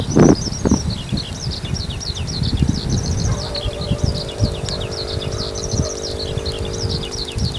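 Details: Eurasian skylark singing busily high overhead after taking off from a field in the evening: a continuous stream of high, rapid twittering notes, partly masked by loud low rumbling background noise.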